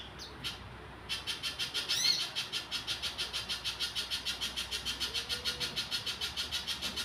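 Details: Little spiderhunter in full song in the wild: after a short quiet opening, a fast, even series of sharp, high, pulsing notes runs on without pause, roughly three per second, with one brighter slurred note early on.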